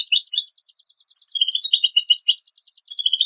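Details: White-rumped shama, part of a compiled song-tutoring set of harsh, rapid phrases: two bursts of buzzy chattering notes near mid-high pitch separated by a pause. A steady fast ticking runs underneath throughout.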